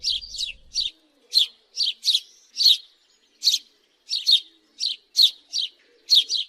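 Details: Single and paired house sparrow chirps, crisp and emphatic, spaced irregularly roughly every half second in a quiet setting.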